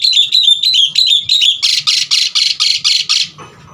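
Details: Asian pied starling in full varied song used to prompt other starlings: a run of short, slightly falling whistled notes gives way to seven loud, buzzy rasping bursts at an even, rapid pace.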